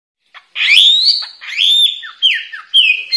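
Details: White-rumped shama song, a caged songbird training recording: loud whistled phrases sliding and holding near a steady pitch, with short downward notes repeated about every half second, clean background.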